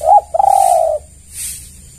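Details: Spotted dove cooing as a lure call meant to draw other doves to respond: a short low coo followed by a longer, steady, drawn-out coo, with soft rhythmic hissing in the background.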